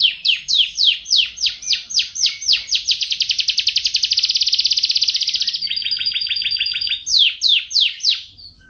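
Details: Masteran recording of a Yorkshire canary for training cage birds: sweeping chirps accelerate into a long, loud rolling trill, shift to a lower buzzy trill, then return to spaced swooping notes.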